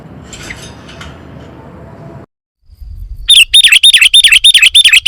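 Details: Sooty-headed bulbul fill-in song: after a stretch of faint noise and a brief silence, a fast, even run of bright, down-curving whistled chirps, about three per second.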